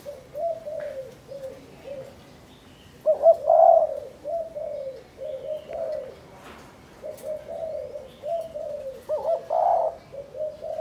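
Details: Spotted dove in a cage in Cần Thơ, Vietnam, being trained for ground trapping. Delivers a continuous string of deep, soft coos, with louder, rolling notes at intervals and faint background chirps.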